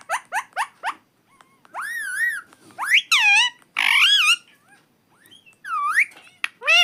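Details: Talking pet parrot: a quick run of four short rising chirps, then several longer wavering harmonic utterances, some sweeping upward. Brief quiet gaps fall between the phrases.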